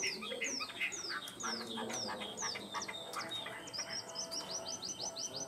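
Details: Tame Chinese hwamei in a cage, heard more softly: a series of descending whistled notes, then a quick run of short rising notes repeated about six times, over a hissy background.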